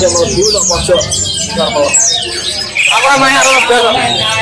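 Greater green leafbird giving a fast, varied song of sweeping whistles, rapid chattering trills and slurred notes, with a human voice in the background.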